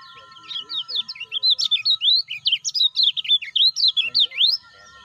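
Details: Lemon-bellied white-eye used to encourage new or silent caged birds: an extended flurry of sharp, zigzagging high chirps, about four per second, ending with a steep upward note.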